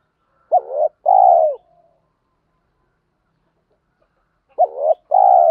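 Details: Spotted doves, male and female, cooing to excite wild-caught birds in training. Two identical phrases sit about four seconds apart, each a quick curved note followed by a long soft coo, with quiet between.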